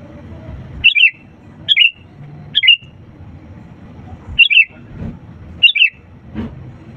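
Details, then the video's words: Energetic sooty-headed bulbul singing, used to entice reluctant birds to join in: five quick bubbly phrases, three in close succession then two after a pause, against a faint low hum. "pancingan kutilang gacor untuk burung malas' bunyi"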